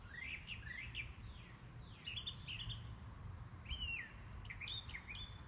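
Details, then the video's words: Backyard birds give repeated quick descending chirps, several in fast runs and then more spaced out, over a constant low rumble. "Relaxing Bird Chirping Sounds"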